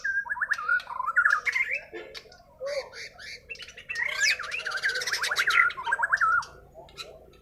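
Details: Natural song of a Kalimantan white-rumped shama with no tutoring: busy stream of looping whistles and fast warbled trills, mixed with scratchy, buzzing notes and short mimic-like fragments.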